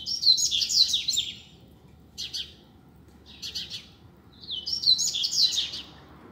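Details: Double-collared seedeater free in the street, singing rapid twittering phrases of high chirps and down-slurred whistles, with short buzzy notes between the main phrases.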